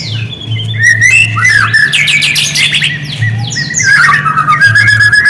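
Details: White-rumped shama song used as a lure to provoke quiet shamas into responding: a dense run of varied whistles, sharp chips and buzzy rattles, with a steady low hum underneath.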